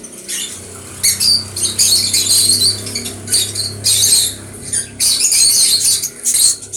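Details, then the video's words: Conure calls as rasping, high squeaky bursts about a second long, coming in four or five separate outbursts with quiet gaps between them, over a steady low background hum. "Conure bird"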